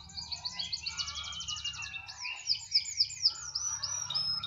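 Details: A canary sings a rapid pulsed trill, then a run of loud, sharp, evenly spaced high notes about four per second, with a soft hum below.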